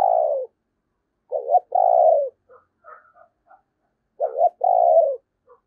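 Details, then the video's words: Decoy spotted dove singing in the 'thổ' voice style. Low, husky coos, each a quick double note then a drawn-out falling purr, repeated about every three seconds, with soft quiet notes between phrases. "tiếng cu gáy - Chim Cu Mồi Giọng Thổ Gáy Hay Nghe Rất Phê"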